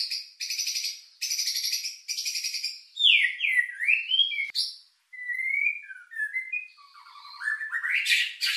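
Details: White-rumped shama lure song with rich mimicked fill, meant to stir emotion and breeding drive: rapid buzzy trilled bursts repeated in blocks, then clear slurred whistles rising and falling, ending in a rising, swelling phrase.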